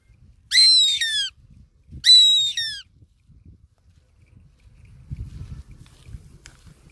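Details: Two piercing, whistled squeals from a goshawk, each about three-quarters of a second and slurring downward, spaced roughly one and a half seconds apart. Low rumbling noise follows.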